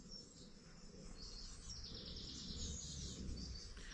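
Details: During a dawn chorus on a UK smallholding, a nearby Eurasian blue tit gives thin, very high, rapid contact calls to its young, a seep followed by quick notes, over a steady low rumble of wind.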